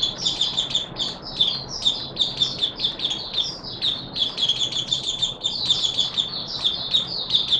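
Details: Continuous thin, high chattering warble from an Oriental white-eye, recorded 24 March 2022, running almost without pause over a noticeable broad background hiss.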